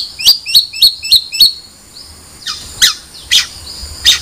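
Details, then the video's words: Long-tailed shrike: five rapid sharp chirps in a row, then a pause and harsher, buzzy squawking notes spaced irregularly. "Suara Burung Cendet"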